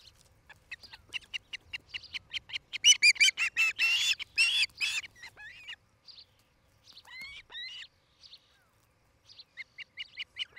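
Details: Osprey at a nest cam in Charlo, Montana, on 07-08-2018 in the late afternoon: a fast series of sharp, high chirps, about three per second, swelling louder in the middle, then a few upward-slurred whistles after pauses.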